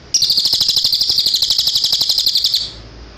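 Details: Cililin, clear recording used to teach caged birds its song: one sustained, loud, rapid high trill of buzzy chirps, roughly ten notes a second, lasting about two and a half seconds before stopping.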